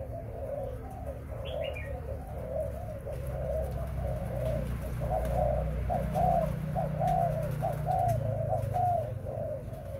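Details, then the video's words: Spotted dove kept for breeding, giving a continuous series of soft, low cooing notes in quick succession, several phrases overlapping, over a steady low rumble of background noise. "Cu gáy sinh sản"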